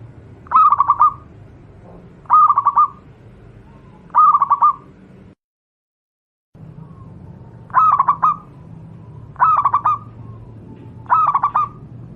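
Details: Wild local zebra dove from Java, offered as a tutor song for other doves: six stuttering phrases of rapid cooing pulses, repeated roughly every two seconds, broken by a brief silent gap midway.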